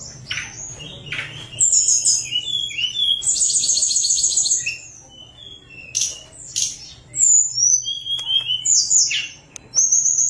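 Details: Sunda warbler song for enticing quiet birds to sing: varied high whistles, a dense rapid trill around three to four seconds, then scattered slurred notes with short pauses between.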